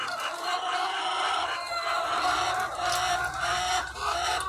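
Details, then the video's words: Egg-laying hens, thousands of them on a farm, fill the air with continuous busy clucking. Higher drawn-out cackles rise through the mass, and a low machine drone sets in partway through. "The Sound of Thousands of Egg-Laying Chickens"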